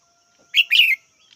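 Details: One red-whiskered bulbul call, a brief bright note and a longer slurred chirp falling in pitch, followed by a faint soft note, against a low steady hum.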